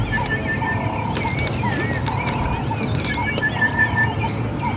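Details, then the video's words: Orange-breasted Bushshrike giving level, hollow whistled notes about every one and a half seconds, with other birds twittering higher and a steady low rumble of wind. "you can hear the orange-breasted bushshrike."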